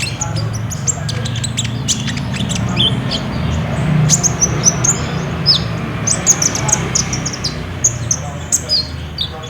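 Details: Active Olive-backed sunbird singing in trotol style as a lure for a caged sunbird, recorded on a phone. A dense run of high, needle-thin chirps and quick tinkling notes, irregularly spaced, over steady low rumble.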